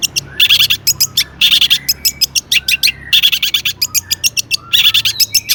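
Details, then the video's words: Long-tailed shrike singing hard with imitated material, played as a lure for other shrikes: loud harsh chattering bursts alternate with rapid clicks and short whistled slurs. "burung cendet gacor EMOSI MEWAH buat PANCINGAN CENDET AGAR BUNYI bikin BURUNG PENTET GACOR NYAUT"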